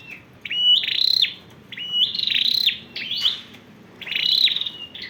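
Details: Ornamental red-whiskered bulbul ('sâu đầu đỏ') in cricket-like 'giọng dế' singing: four separate high, buzzy trilled phrases, each starting with a rising slur and holding a shrill reeling tone, spaced about a second apart against quiet.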